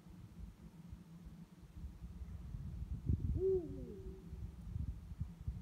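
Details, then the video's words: Night calling by one of a pair of Eurasian eagle-owls: one short hoot that swells upward and drops away in a curved tail, set against constant low-pitched rumble. "Uhus Rufen in der Nacht"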